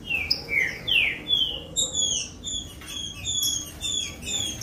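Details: Green-winged saltator song used to warm up and stimulate captive birds to sing: a run of clear whistled slurs, some rising and some falling, then rapid high chirping notes repeated in quick succession over soft background hiss.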